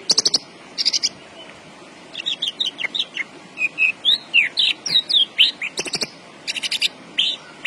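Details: Caged Javan bush lark in energetic song delivers rattling bursts between runs of looping slurred whistles and chirps, roughly two notes per second.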